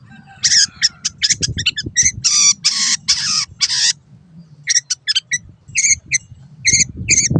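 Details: Master song of a long-tailed shrike for training caged birds: a run of dense, harsh buzzy notes followed by spaced, sharp chips and squeaks, low rumble underneath.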